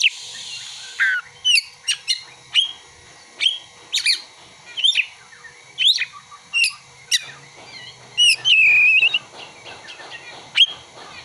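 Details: Oriental magpie-robin mimicking ciblek and kolibri: after a brief hissy burst, a rapid sequence of sharp high ticks and flicked whistles, then a wavering trilled phrase and more scattered chips.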